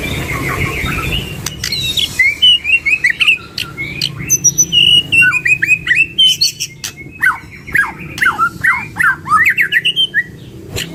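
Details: A duo of white-rumped shamas delivering song packed with varied fillers: a burry opening, then long sequences of quick whistled slurs, chips and down-sweeping notes repeated in tight bursts.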